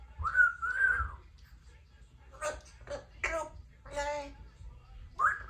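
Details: Three-year-old female Congo African Grey parrot at home practising sounds: short wavering whistles at start and end framing mimicked speech-like syllables, indoors in a small room.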